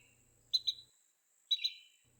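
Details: An adult Carolina wren gives sharp, high pip calls in two quick pairs about a second apart, with a faint low hum underneath; such pips are used in mobbing predators, against nearby rival wrens, or when the nest is disturbed.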